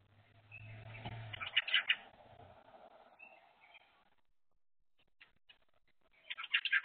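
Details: Crested myna pair at a feeding spot, one feeding as its mate stands guard; clustered sharp chirps and squeaky notes early on, a low hum underneath, a quiet pause, then a fresh burst of chirps at the end.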